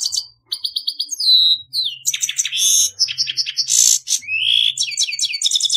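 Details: Grey-headed goldfinch singing: clipped high twitters and short buzzes, a descending slurred whistle, then dense tinkling trills, harsh buzzy bursts and a rising slurred note before more rapid twittering.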